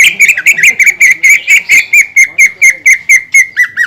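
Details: Caged greater green leafbird singing to trigger song in other leafbirds: a continuous, steady series of sharp chirped notes, roughly two per second, evenly spaced throughout.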